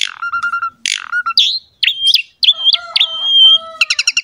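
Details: Lively Asian pied starling song played to encourage young starlings to sing: clear level whistles, looping warbled notes and a closing burst of rapid clicks.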